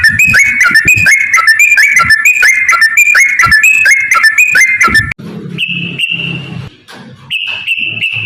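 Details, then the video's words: Fighting song of a yellow-vented bulbul, long and rolling, used to push other birds into singing: rapid, repeated dipping whistled phrases for about five seconds, then two longer steady whistles separated by a low hum. "trucukan gacor TARUNG ROPEL PANJANG"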